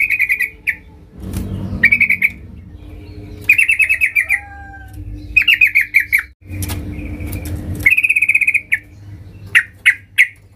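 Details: Yellow-vented bulbul singing loudly to challenge rivals: rolling, trilled bursts of rapid notes alternating with short bubbly phrases, separated by brief gaps filled with low rumbling noise.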